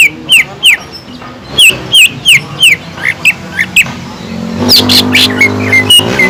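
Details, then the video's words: Lure song of a greater green leafbird carrying kingfisher mimicry: a regular series of loud, clear downslurred whistles about three per second, then a harsher burst and softer rising notes, with a low rumble behind. "PANCINGAN CUCAK IJO GACOR ISIAN ISTIMEWAH TENGKEK UDANG"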